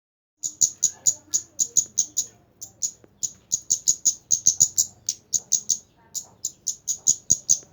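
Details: Kemande bird singing vigorously: a long series of very high, thin, sharp chirps, about four per second, with brief pauses near three and six seconds; faint low background murmur.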